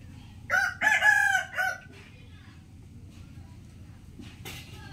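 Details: Rooster crowing early in the morning: one loud, drawn-out cock-a-doodle-doo of about one and a half seconds with a harsh, rising then level tone, followed by quiet background hum and a faint later call.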